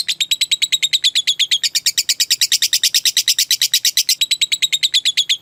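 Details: Lovebird masteran recording of ngekek panjang, the long trilling song meant to prompt caged lovebirds to copy it: a continuous, loud, machine-gun chatter of high, bright notes without pause.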